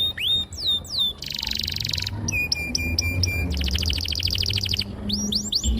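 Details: Canary song meant to lure young canaries into singing: short sections of curved whistles, a buzzy trill, rapid pulsed rolls and clipped notes, over a faint low hum in the background.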